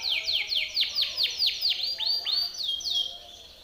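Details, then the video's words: Singing Timbrado canary, a training song: clear descending swept notes repeated quickly, slowing toward the end into longer falling whistles. "TIMBRADO canary singing - Timbrado canary's most powerful song for training / canary training song"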